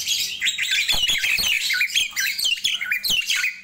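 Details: Morning song of a Nias hill myna, a dense stream of quick, wavering whistles and harsh chirps, nonstop and loud throughout.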